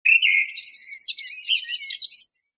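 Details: Common blackbird singing: a brief, dense burst of high twittering and chirping notes that rise and sweep in quick succession, with no other sounds.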